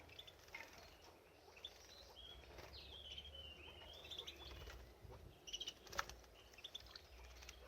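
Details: Canary singing while bathing, giving soft, high warbled whistles and short slurred phrases midway through, with bursts of splashing and wing flutter near the end.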